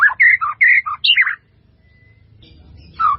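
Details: Melodious white-rumped shama phrase from a master recording full of fill-ins: a quick burst of six or seven clear whistled notes jumping between pitches, then a pause and one final falling whistle.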